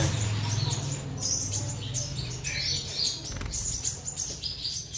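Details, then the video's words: Black-throated sunbird kept in a cage, singing fully: scattered high, thin chirps and short twittered notes over a low steady hum and light rustling. "Chim Hút Mật Họng Đen Trổ Full"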